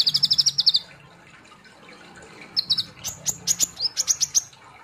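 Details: Olive-backed ("ninja") sunbird in full song sings high, rapid buzzy trills of about eight notes, then after a pause a burst of sharp, piercing "shooting" notes and quick trills. There is no other clear sound.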